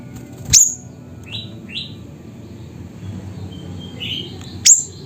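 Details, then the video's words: Siri-siri in Busu Reului village, Aceh: two lone, very high, sharp chips about four seconds apart. Fainter short rising whistles from another bird come between them. "Burung Siri Siri Nembak Suara Gacor"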